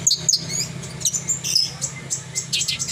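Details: Horsfield's bush lark in lively song, short bursts of very high chirps and buzzy twittering notes in quick succession, a low mechanical hum steady beneath.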